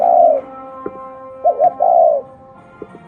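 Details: Cooing spotted dove of the local field type: the end of one long coo, then a single phrase of two clipped notes leading into a sustained, downward-sliding coo, with soft clicks.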